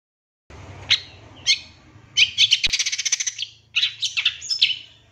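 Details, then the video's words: Bait song of a champion long-tailed shrike for getting another shrike to answer and become excited. Two isolated sharp chips, then a dense buzzy rattling phrase and a few scratchy squeals over a faint low hum. "Langsung Nyaut Pancingan Suara Pentet Bahan Agar Cepat Bunyi & Emosi ~ CENDET JUARA 2023"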